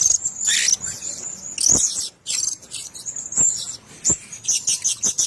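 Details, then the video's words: Blue-crowned hanging parrots kept in a cage give thin, very high shrill squeaks and sharp chirps in short bursts, mixed with scattered dry clicks and patters. "Sesangkar Burung Serindit"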